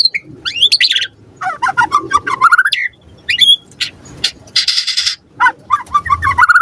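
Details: White-rumped shama (murai batu) in full, varied song used as a lure to prompt other birds to respond: rich whistled phrases rising and falling, rapid chattering runs and a burst of harsh buzzy noise midway, with brief pauses between phrases.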